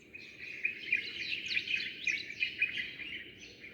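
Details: Sparrows chirping at dawn: a dense chorus of short, bright chirps and twitters that overlap continuously, with louder notes standing out about every quarter second over a quiet background.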